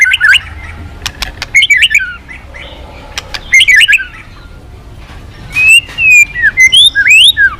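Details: Varied song of a white-rumped shama, with sharp high ticks and bursts of twisting whistled phrases separated by short pauses, then a lively run of looping, rising and falling whistles.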